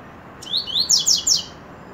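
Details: Double-collared seedeater (coleiro) singing: about a second of rising whistled slurs followed by three sharper, high, downward-sweeping notes in quick succession over a quiet hiss.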